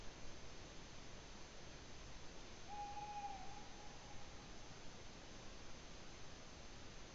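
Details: A tawny owl in Latvia, 8 May 2017, gives one level, drawn-out hoot of medium pitch, lasting under a second, over a steady background hiss and low rumble.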